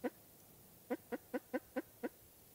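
Spruce grouse giving low, hollow clucks: one note, a pause, then six quick ones about a fifth of a second apart, in a quiet setting.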